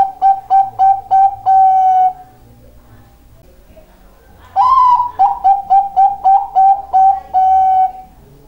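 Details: Zebra dove, Bangkok variety, singing eagerly with quick repeated short coos ending in a longer note, then after a two-second pause a rising intro note and another run of about ten clipped coos, clean background.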